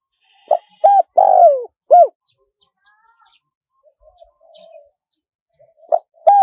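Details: Spotted dove, small-voiced wild-style calling meant to lure wild doves: a phrase of short coos and a drawn-out descending coo, a gap with faint murmurs, then the next phrase beginning.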